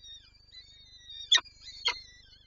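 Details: Peregrine falcon, Lublin, Poland, recorded 23-04-24 as it wants to feed its chicks: a long level wailing tone broken by two loud broadband bursts about half a second apart, then a trailing whine.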